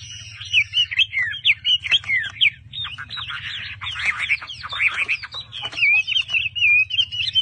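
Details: Caged Chinese hwamei singing bright, swooping whistles mixed with rapid chattering bursts, the phrases changing constantly over a low hum.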